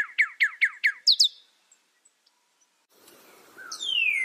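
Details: Northern cardinal giving five loud down-slurred notes in quick succession, a brief pause, then one long whistle sliding down in pitch over a light background hiss.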